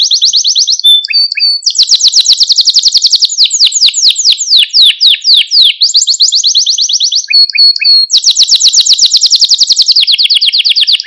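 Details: Malta canary song, recorded to stimulate and train canaries: long fast trills of repeated notes, some buzzy, others sweeping downward, shifting abruptly between high and mid pitches with short whistled notes between, in clean quiet surroundings.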